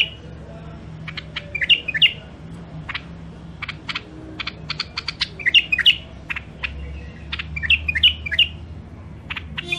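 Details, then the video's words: Wild songbirds from Mandali, Iraq, caged for sale: a busy stream of quick, sharp chirps broken by short bursts of slurred, whistled phrases that rise and fall, with faint low hum behind. "تغريد مخاليف وحشيه كاع منفذ مندلي"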